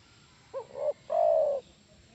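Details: One spotted dove phrase played to entice other doves to reply: a quick two-note stutter followed by a prolonged, smooth coo that sags slightly at the end, otherwise quiet.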